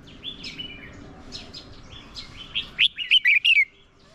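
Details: Red-whiskered bulbul decoy bird delivering fighting song to draw in wild birds; soft, distant-sounding warbles give way to a loud run of five or six clear, quick whistled notes near the end.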